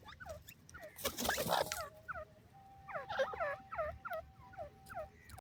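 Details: Grey francolin (desi teetar) near pigeons: a short rushing noise, then a lively series of sharp, downward-swooping whistled notes, clustered and repeated rapidly, with a faint steady tone running beneath.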